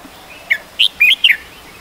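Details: Red-whiskered Bulbul, adult, Ubon Ratchathani, Thailand, mid-December 2020: a short bubbly phrase of four quick whistled notes, bright and slurred, with little background noise.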